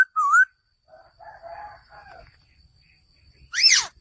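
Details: Male laughingthrush: one loud whistled note rising to a high upslur, faint warbling chatter in the middle, then a harsh, loud, downward-sweeping note near the end.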